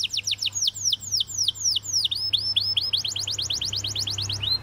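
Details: Canary singing a chain of downward-slurred whistles that quicken toward the end, with a faint low hum beneath.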